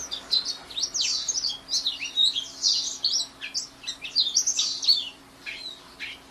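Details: Sustained twittering song of a white-eye: rapid, high, sweet chirps and slurred notes tumbling together in dense bursts, with a steady faint hum beneath.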